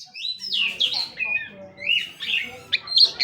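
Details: Oriental magpie-robin vocalising, softer and rougher: harsh, scratchy rising slurs mixed with short whistled notes in uneven bursts, somewhat muffled.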